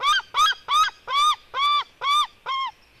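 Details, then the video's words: Female white-tailed eagle eaglet fighting with her brother: seven loud, ringing, arched yelps, each rising then falling, spaced about two per second, the last slightly weaker, with a quiet background. "merikotkas female eaglet fight with her brother"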